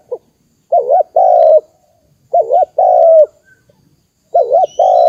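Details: Spotted dove call used to stir up decoy birds for trapping: three cooing phrases, each a short wavering double note followed by a long level coo, separated by gaps of over a second, with faint high chirps in the background.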